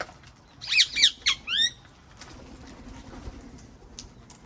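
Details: Wild parrots in a garden: a brief, quick cluster of four shrill chattering squawks in under a second, then near quiet with faint background noise.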